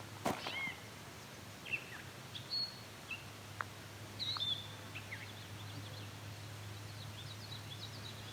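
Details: A Gray Catbird in a bird-rich wetland sings scattered squeaky, scratchy phrases strung into song, each under a second with short pauses, possibly mimicking a shorebird, over a steady low hum.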